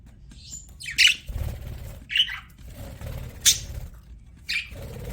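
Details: Pet budgerigars giving a few short, sharp chirps and squawks, spaced about a second apart, with quiet gaps and a low background rumble between calls.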